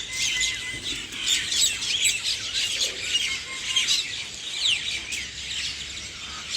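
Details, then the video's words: A morning chorus of chirping birds, high thin whistles and rapid tweets layered densely, with a few longer steady whistled notes standing out among the chatter. "Birds Chirping Sound"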